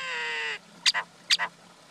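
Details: Common myna, male and female: a steady, harmonic, slightly nasal tone held for about half a second, then after a short gap two quick paired notes, each a sharp high click running into a lower buzzy note.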